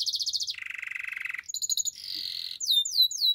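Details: Singing canary moving between tours: a fast high trill, a lower rolling trill lasting about a second, pulsing buzzy notes and a steady whistled tone, closing with sharp descending sweeps.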